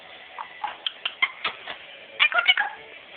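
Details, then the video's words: A pet Amazon parrot in a chatty moment chatters in short, squeaky, speech-like bursts, about a dozen in three seconds, some rising into bright whistled notes, with its owner's voice nearby. "talking parrot"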